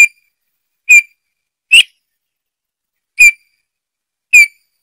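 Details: Eurasian bullfinch giving short, clear piped whistles that slide downward, five notes spaced irregularly about one second apart, with no other sounds.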